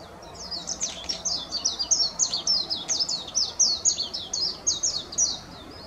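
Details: Japanese white-eye calling: a fast run of high, thin chirps, each note dropping in pitch, repeated about four times per second in an even series, with faint background noise.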